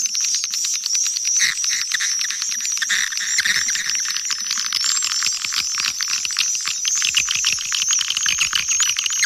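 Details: Calling and roosting sounds of swiftlets, Kampar, Riau, meant to attract the birds: a steady mass of shrill clicking chirps and twittering trills, with many birds overlapping throughout.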